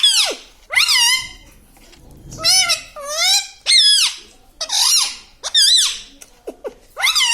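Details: Talking parrot, a pet tota, giving a run of loud harmonic, wavering syllables, each sweeping down then up, in bursts about every half second with short pauses between, with a quiet room behind.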